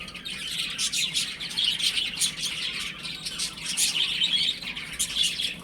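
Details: Chicks playing at home fill the air with overlapping shrill chirps that rise and fall in loudness but never stop.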